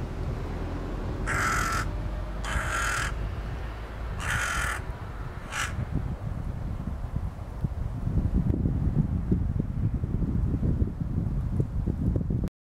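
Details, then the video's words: Hooded crow foraging at a puddle in Helsinki, Finland, in April 2013, giving four harsh, hoarse caws spaced about a second apart in the first five seconds. Afterwards only a steady low rumbling background noise continues. "Hooded Crow foraging and vocalizing"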